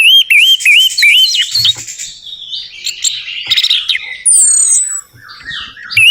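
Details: Orange-headed thrush song meant to make a quiet bird sing: series of repeated looping whistles rising and falling, a buzzy chattering stretch, then a high descending whistle and softer notes.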